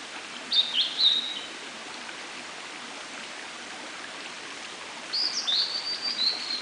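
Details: Blue-and-white flycatcher singing in a dark forest in early morning, Munakata, June 2012: two short clear whistled phrases with sliding notes, separated by about four seconds, over a steady background hiss.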